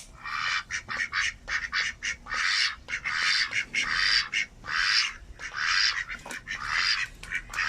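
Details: Loud, harsh quacks from a male domestic duck, kept as a pet, calling or showing happiness; raspy bursts of uneven length come in quick succession, some drawn out, some clipped, nearly without pause.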